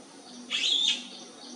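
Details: A single rolling, buzzy trilled call lasting about half a second from a bee-eater looking for its flock.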